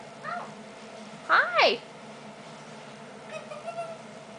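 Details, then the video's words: Young female eclectus parrot indoors imitating her squeaky toy: two loud squeaky rising-then-falling notes, with fainter squeaks before and after. "Baby Female Eclectus Talking"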